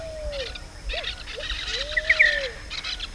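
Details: Pale-vented pigeon in Costa Rica giving soft, low, hollow coos: a drawn-out note, two short ones, then another long coo, over busy chirping from other birds.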